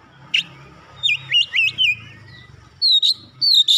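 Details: Oriental magpie-robin song meant to prompt a lazy bird into full voice: a sharp chip, a run of four bouncing whistled notes, then loud high downslurred whistles near the end, over a faint low rumble.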